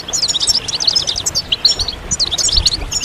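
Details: Goldfinch group song meant to stir males into singing after moult: bursts of bright, rapid twittering notes separated by brief gaps, chirps clustering in short runs.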